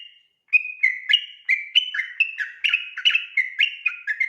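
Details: Sooty-headed bulbul in insistent ropel singing at night, used as a tutor recording for training other birds: after a brief pause, bright whistled notes alternate high and low, about three each second, continuous and tireless.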